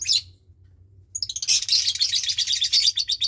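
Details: Nestling lovebird around 20 days of age, one of two chicks reared by Parblue Turquoise and Euwing Blue Opaline parents; a brief high squeak, a second of quiet, then a continuous rapid raspy chatter of high pulses.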